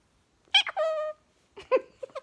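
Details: Chatty pet Goffin's cockatoo indoors: a sharp squeak followed by a drawn-out, nasal, harmonic note, then a few short chuckling squawks, while its owner plays with it in a quiet room.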